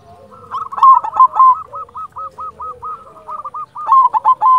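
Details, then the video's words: Singing silver perkutut, a local zebra dove used to excite other doves and make them reply, pours out a long run of quick, evenly spaced mellow coos, louder at the start and end. "Perkutut silver gacor Jagonya Mengundang Bunyi Bikin Yang Macet Langsung Nyaut"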